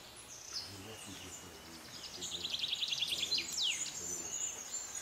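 Buff-winged Starfrontlet giving thin, high chips in quick runs with a few sharp downslurred notes, over faint low murmuring in the background.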